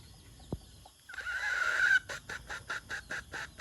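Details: White decoy junglefowl rooster crowing: after a quiet start, one drawn-out, harsh, level crow of about a second, followed by a rapid run of eight short, evenly spaced clucking notes over steady background hum.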